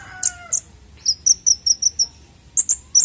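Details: Konin bird sound used to lure untrained birds: two sharp high notes, then a quick run of six clipped chirps at an even pace, then more high chips.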